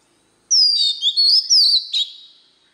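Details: Oriental magpie-robin in wild voice, meant to rouse newly caught birds: a long, high whistle sliding downward, a rising whistle, then a short clipped note and a trailing, fading tone.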